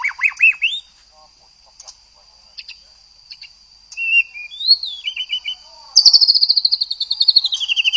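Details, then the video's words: A white-rumped shama gives short bursts of quick whistles with pauses between them, then a fast, loud, descending trill of high notes. A steady high hum runs beneath. "Murai Batu LANGSUNG GACOR dan NGEPLONG jika digandeng dengan murai ini"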